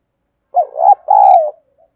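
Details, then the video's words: Spotted dove kept as a decoy bird to lure others, giving a loud two-part coo: a short rising note then a longer sustained mellow coo that fades, followed by a faint low coo. "Chim Cu Mồi Thúc Gù Bài Bản Sung Chuẩn Kích Bổi"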